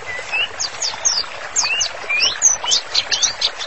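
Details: White-rumped shama singing vigorously, a master song used for therapy training: loud, sharp whistled slurs, some rising and some falling, in quick bursts with brief gaps, jumping between mid-pitched upward chirps and very high thin notes.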